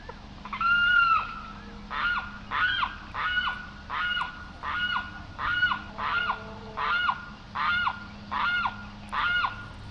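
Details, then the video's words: Limpkin (Aramus guarauna), called carrao, giving loud, harsh, ringing calls with a sharp downward slur. About a dozen notes come in a steady series, roughly two per second, over a quiet low hum. "Canto del Carrao"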